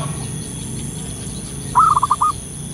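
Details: Wild local zebra dove giving a lure call: a brief rolling series of four or five quick coos, over a constant hum and faint chirping in the background.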